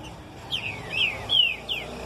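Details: A Green-winged Saltator gives four clear, slurred whistles, each sliding downward, spaced about a third of a second apart over a quiet background.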